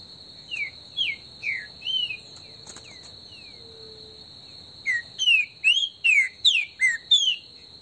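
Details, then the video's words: Brazilian bush recording of a green-winged saltator's esquenta warm-up song: three soft falling whistles, a gap, then a rapid loud series of about seven slurred whistled notes, with a persistent high insect drone. "ESQUENTA trinca ferro no MATO"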